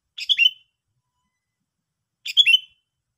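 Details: Two quick, ringing bulbul chirp phrases about two seconds apart, each a rapid cluster of bright notes ending in a short downward slur; the Sooty-headed bulbul is otherwise alone in silence.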